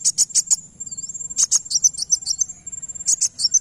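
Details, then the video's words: Van Hasselt's sunbird gives a very high, thin song: sharp ticking notes in quick bursts, with a long level whistle and a few dipping slurs between. "Kolibri wulung langsung nyaut dengar ini"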